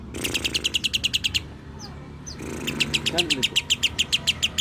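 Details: Lovebird singing in the tembak style, described as rasa kapas: fast bursts of sharp, high chirps repeated about three times a second, a short pause, then another run of the same clipped notes over a low background hum.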